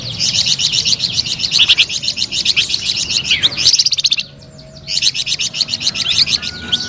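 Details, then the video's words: Melodious, nonstop song of a flamboyan bird. Rapid high twittering runs break off for a short pause near four seconds, then the quick chirps resume. "SUARA MERDU DAN GACOR BURUNG FLAMBOYAN"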